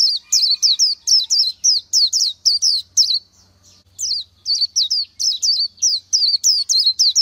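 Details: Oriental white-eye in nature delivering two long bursts of rapid, high, sweet twisting whistles, about three notes per second, with a brief gap between bursts.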